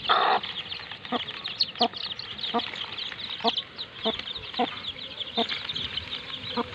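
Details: Chicks playing beside their mother hen: continuous high, squeaky peeps from several young birds, punctuated by low, abrupt clucks roughly every half second to second, after a brief louder burst at the start.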